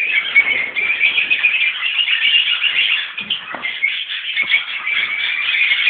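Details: Peach-faced and Fischer's Lovebirds kept as a colony with parents and juveniles: steady shrill chattering chorus, thin squeaks and whistly notes packed densely throughout, some soft knocks beneath.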